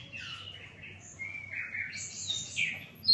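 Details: Sikatan londo flycatcher in song: a quick run of high chirps and short whistled phrases that rise and fall, jumping between pitches with no steady rhythm, over a quiet low hum.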